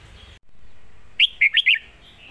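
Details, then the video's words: Lak Wai style master song of a red-whiskered bulbul: four clear, liquid whistled notes in a fast rising-and-falling phrase after a moment of low background hiss. "นกเสียงทอง!!เพลงลากหวาย สุดยอดเพลงแม่บท"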